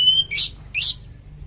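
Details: Oriental magpie-robin (kacer) for bird training: a pure high whistled note followed by two short harsh rasping bursts.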